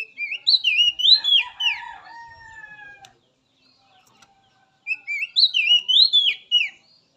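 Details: Song of a wild Oriental magpie-robin, used as therapy to get caged birds singing: two phrases of fluid, swooping whistled notes separated by about two seconds of quiet, the first ending in long level tones.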